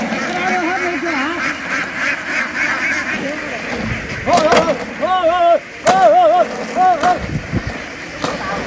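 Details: Ducks from a farm flock board a boat after running ashore, giving loud, harmonic, nasal quacks in irregular bursts, sometimes wavering, over the flock's background murmur and some knocking sounds.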